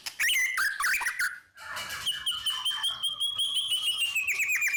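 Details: White-rumped shama delivering long continuous song to stimulate other birds: dense buzzy chatter and slurred whistles, then a sustained high whistled note held over rapid clicking trills.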